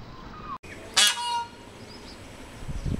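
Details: Peafowl giving a single loud, harsh, honking call lasting about half a second, rich in overtones, with a faint tonal note trailing after it and quiet background noise around it.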